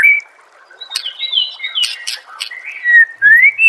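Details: White-rumped shama song from a training master recording for songbirds: clear whistled notes sliding down then up, interspersed with short sharp chirps and brief pauses.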